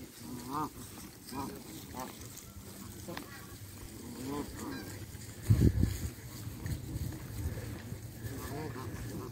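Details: Canada geese at Mud Creek, Chatham-Kent, Ontario, Canada, recorded on a Samsung Galaxy A10 phone: nasal honks repeated every second or so, with wind rumble and a loud gust midway.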